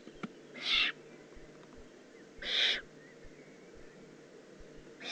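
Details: Young Eurasian eagle-owl recorded in the Eifel on 18 June 2016: rasping, breathy hisses, each under half a second, spaced about two seconds apart over quiet background hum.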